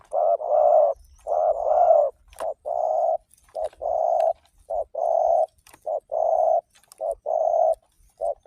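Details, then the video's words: Spotted dove song played as a lure for other doves: a steady string of mellow coo notes, alternating short and longer, repeated roughly once a second for the whole stretch, with faint clicks. "Masteran suara burung || tekukur sekalidi puter burung tekukur lain di jamin ikutan bunyi"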